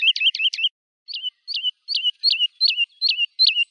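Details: Woodlark with a few fast rolled notes, then a measured series of slurred whistles repeated roughly every 0.4 seconds, clear and isolated.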